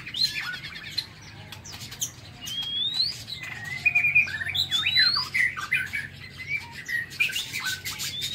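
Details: In the morning a White-rumped shama sings inside an aviary, mixing rising whistles, twittering trills and quick slurred notes, with frequent clicks and wing sounds.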